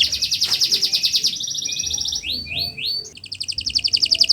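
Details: Canary song meant for teaching other birds, heard as fast buzzy trills, a few swooping rising notes, then quick repeated chirps, with some faint background murmur.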